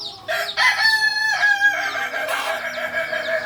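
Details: Native singing chicken of Solok, a Kokok Balenggek from a farm in Solok city. A long, rich crow made of linked, stepped segments runs for about three seconds, with overlapping crowing in the background.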